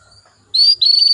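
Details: Female canary calling males: two loud, high, sustained whistled notes with a slight flutter, the second following right after a brief break, meant to prompt male canaries to sing.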